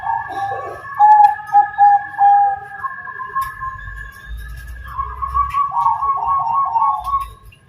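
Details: Zebra dove of the Bangkok type singing terasan style: short hollow coos open the phrase, then a longer, pulsing rolled coo, over a faint steady tone in the background.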